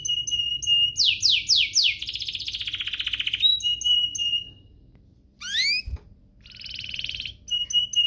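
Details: Canary song intended to stir other canaries to sing: flat whistles, a run of descending sweeps into a fast trill, a pause with a knock, then a buzzy roll and more short whistles.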